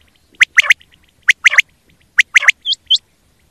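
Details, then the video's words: Quail calling, recorded for quail hunting: sharp three-note phrases of broadband chirps, repeated roughly every second, with two short upswept high notes at the end; background quiet. "BATAIR KI AWAZ || QUAIL CALLING"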